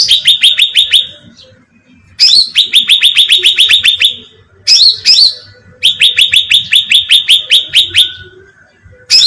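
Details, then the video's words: Sooty-headed bulbul call used as bait to lure birds, heard as repeated fast trains of bright rising chirps, each run beginning with a harsh squeak and followed by a short pause. "suara pancingan cucak ranting"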